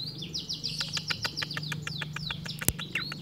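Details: Long-tailed shrike mimicking other birds in a rapid, regular run of short downslurred whistled notes repeated several times a second, with one sharp click partway through.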